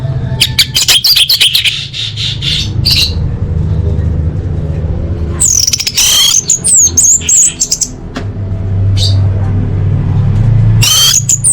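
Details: Orange-headed thrush master song packed with varied fill-in phrases, used for training birds for big contests and elite practice events: dense bursts of sharp chirps and fluttering whistled notes, a pause, then rapid high trills over a steady low hum.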